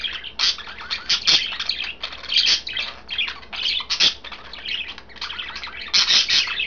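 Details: A green, a blue and a white budgie chatter over their kale, a steady stream of rapid, harsh, high chirps and warbled notes with occasional louder peaks.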